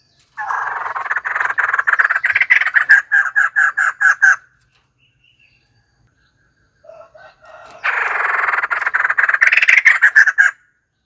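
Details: Loud, dense chattering chorus of white-crested laughingthrush, a raucous cackling outburst lasting about four seconds, a short pause with a few quieter notes, then a second equally harsh rolling outburst.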